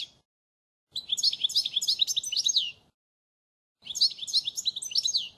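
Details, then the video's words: Model goldfinch song for training young birds, with a clipped ending note followed by two lively phrases of rapid chirps and sliding whistled notes, the first nearly two seconds long. "Chant Chardonneret sans fautes pour l'écolage 2016 تغريد الحسون الاصلي"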